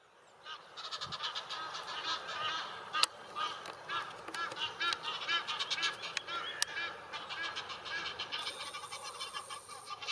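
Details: Egyptian geese, a settled population on the Main river bank near Würzburg, Germany; rapid harsh honking and cackling from several birds in fast runs throughout, with a few sharp clicks and handling knocks.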